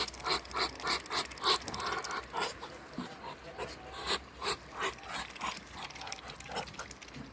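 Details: Breathy, wheezing huffs from three Muscovy ducks, repeated roughly three times a second in uneven bursts, some louder puffs standing out over a soft steady background noise.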